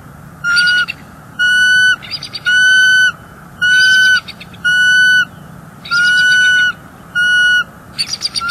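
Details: Bald eagles at a northeast Florida nest on a January morning, captured by nest camera, as the nesting female calls in displeasure at an intruder eagle nearby: a series of shrill, steady whistled notes mixed with chattering bursts, repeated roughly every second.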